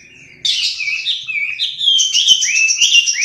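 A Chinese hwamei sings a loud, rich run of varied whistles and slurred notes, rising and falling quickly, with a few sharp clicks in the background.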